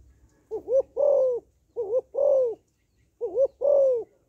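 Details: Female spotted dove calling to stimulate males: soft low coos in phrases of a quick wavering double note followed by a longer, slightly falling note, three phrases about every 1.3 seconds, quiet background.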